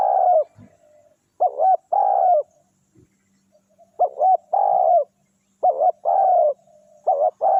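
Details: Spotted dove, known locally as tekukur, calling during a session luring wild forest doves; soft hooting phrases, each a quick two-part note then a drawn-out coo, given four times with short pauses.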